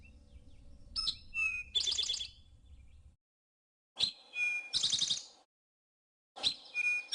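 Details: Eastern Towhee in the Ozarks, singing its drink-your-tea song from brushy forest edge in spring: short introductory notes followed by a buzzy trill, given three times about every two and a half seconds, with silent gaps between.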